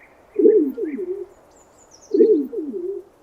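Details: Low, rolling coos from a pigeon, two phrases about 1.8 seconds apart, each starting strong and fading into a wavering, drawn-out ending, with faint high bird chirps in the background.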